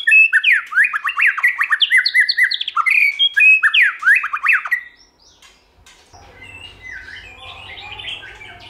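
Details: White-rumped shama, tail-flicking and singing in many voices as stimulation for song training. Five seconds of rapid loud whistles and steep slurred sweeps, then the song stops and only faint soft chirps and a low hum remain.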